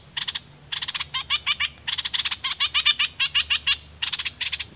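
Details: Decoy red-whiskered bulbul singing at wild birds, doubled song phrases: bursts of rapid, harsh, chattering notes in quick groups, with short pauses between runs and a faint steady high hiss behind.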